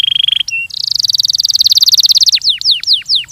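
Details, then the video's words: On a training recording, a Belgian canary delivers a rapid pulsing whistle, a long fast buzzy trill, and then slower, separated, sharply falling whistled notes. "ESPETACULAR canário belga,,! 30 MINUTOS DE TREINAMENTO DE BELGIUM CANARY VOCÊ VAI CANTAR MUITO"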